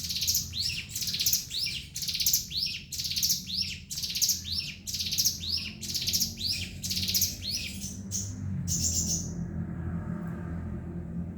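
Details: Ciblek gunung, the Javan sunbird, in 'ngebren' song: rapid high chirping phrases repeated about once a second for around eight seconds, then a short thin whistle before the singing stops, leaving low background rumble.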